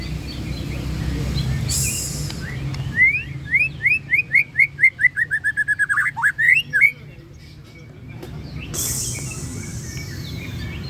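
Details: White-rumped shama with a rich varied song, giving a rapid series of about twenty short rising whistled notes that drop into a brief falling slur, over steady low background rumble and hiss.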